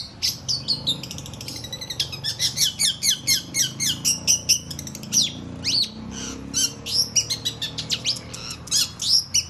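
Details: Long-tailed shrike pouring out a continuous varied chatter of rapid high chirps, trills and squeaky notes with brief gaps, mimicking-style medley over a faint low room hum.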